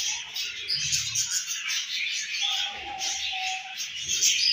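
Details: Pet home-bred budgerigars with a baby: constant bright warbling chirps that overlap, plus a short steady mid-pitched tone near the middle.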